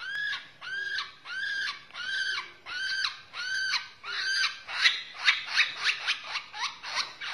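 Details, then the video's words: White-rumped shama from Borneo repeating arched, harmonic rasping notes about once per second, then speeding into a quicker series of sharp clipped notes. "murai borneo"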